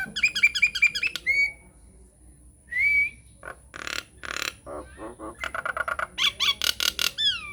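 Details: Nias hill myna lure song used to set mynas singing: rapid repeated whistled chirps, a clear rising-falling whistle, then harsh nasal bursts and clipped squawks closing with downslurred whistles.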